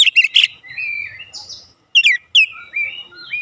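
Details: Short 'ngeplong' song phrase from an Oriental magpie-robin, meant to spur home birds to reply: a few quick chips, drawn-out level whistles, then sharp upswept notes and soft trailing whistles.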